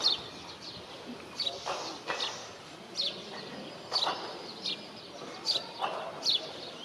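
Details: Short high chirps from a juvenile male Indian robin, sharp single notes repeated roughly every second or so, with soft broadband thumps and rustling between calls and constant background hiss.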